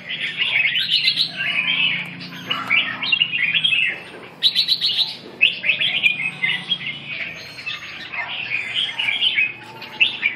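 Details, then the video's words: Red-whiskered bulbul in a practice session, recorded 2 June 2012; bursts of bright warbled and chattering phrases repeated across the recording with short pauses, a second bird or background chirps also present. "dợt cm"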